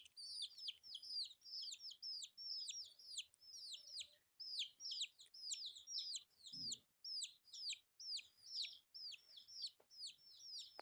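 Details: Colourful newborn chicks eating rice keep up a shrill chorus of quick, downward-sliding peeps, roughly two per second, overlapping voices, one brief low knock near the end and faint tapping underneath.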